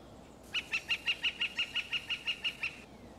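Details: A red-shafted Northern Flicker (Colaptes auratus), an ant-eating woodpecker often feeding on the ground, gives a steady run of about a dozen bright, high notes, evenly paced several per second, over a faint background hiss.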